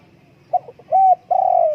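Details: Spotted dove cooing: a short note and a few soft stutters, then a level coo and a longer falling coo, over low background hum.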